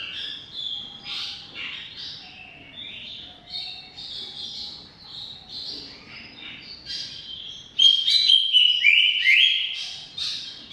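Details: Greater green leafbird's 'ngoceh' chatter: a long series of soft, scratchy, varied notes, then from about eight seconds louder, brilliant whistled runs with fast upward and downward slides.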